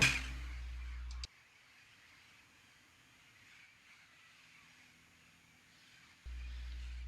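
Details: A low engine-like hum starts and stops around a quiet stretch of faint background hiss, with no animal calls.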